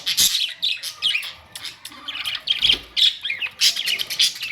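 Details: Budgies recorded May 2, 2023 letting out sharp shrill squawks and chirps in quick bursts, separated by short lulls, with a chattering warble underneath.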